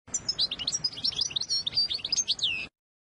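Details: European goldfinch singing to tutor young birds: one continuous, fast, bubbling phrase of bright, high chirps and curving slurred notes, ending abruptly in silence.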